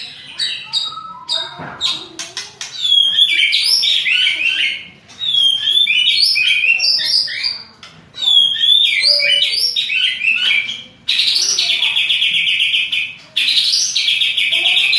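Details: Fighting-style song of a white-rumped shama provoked by a rival: loud varied phrases of twisting whistles and buzzy high trills, each lasting two to three seconds, separated by brief pauses and delivered in rough, fast, dense bursts.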